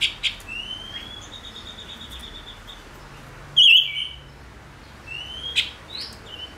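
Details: Silver-eared mesia (Leiothrix argentauris) song of thin, high chirps and short whistled notes, with one louder warbled burst midway, then near silence.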